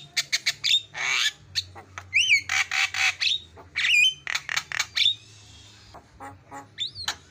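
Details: Javan myna (jalak kebo) song used as a tutoring recording with fast fill phrases to make mynas call: harsh buzzy bursts, rapid clicks and several sharp rising whistled notes, ending with a long hiss.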